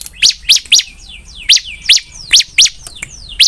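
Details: Energetic bar-winged prinia song of loud, sharp high notes about every quarter second, mixed with thin descending whistles.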